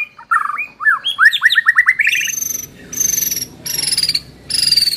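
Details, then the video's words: White-rumped shama lure song for training: a quick run of rising whistled slurs, followed by three long, high, thin buzzy notes, each sliding slightly downward and separated by short pauses. "pancingan murai batu"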